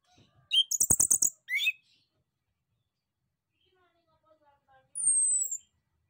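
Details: Male orange-headed thrush song used as a lure so that other birds answer: a sharp rattling burst of clicks, then a slurred whistle, a pause with faint, soft notes, and finally one high whistle falling gently in pitch.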